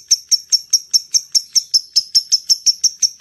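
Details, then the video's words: Lovebird calling to attract other lovebirds, sharp high clicking chirps repeated evenly about five times a second, each short and metallic. "SUARA LOVE BIRD ( LABET ) NGETIK, NGEKEK PANJANG AMPUH UNTUK MEMANCING LABET YANG LAIN"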